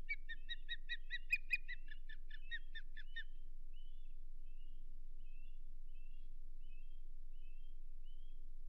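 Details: Osprey at the Hog Island nest on a May 2023 morning, with mating and a fish delivery: a rapid series of sharp, harmonic chirps about four per second for three seconds, then softer short whistled notes spaced apart.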